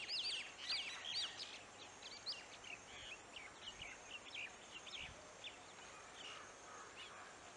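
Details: Black-hooded oriole (Oriolus xanthornus) in a village in Bihar, India, giving quick, looping whistled notes, loudest at the start, then fainter scattered chirps over steady outdoor hiss.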